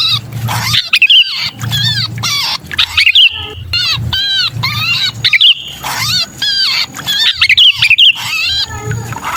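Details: Sooty-headed bulbul (kutilang) 'kejepit' pinched distress call, used as a lure for wary bulbuls: harsh, raspy screeches with stacked harmonics in rapid bursts, mixed with short clear whistled notes, with a low rumble underneath.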